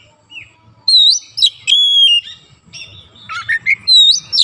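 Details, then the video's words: Oriental magpie-robin (kacer) bursting into energetic song with beak open after a single prompt: loud, varied phrases of clear slurred whistles, a long steady whistled note, quick buzzy chatter and rising whistles, over a faint low background rumble. "sekali pancing Kacer langsung on buka paruh gacor"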